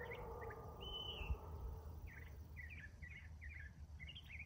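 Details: Northern mockingbird in morning song, cycling through several songs: short chirps, then a brief high whistle, followed by a run of repeated slurred, rising-falling notes about twice a second, over low rumbling background noise and a faint hum.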